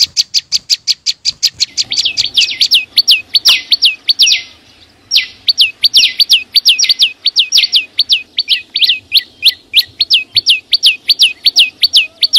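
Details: Singing wild flowerpecker: quick high ticks give way to a fast string of bright, sliding, down-slurred notes repeated rhythmically, with a short break midway.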